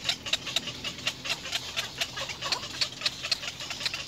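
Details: Little egret babies in the nest keep up a brisk series of sharp, grating notes toward their mother, several a second, fairly even in volume.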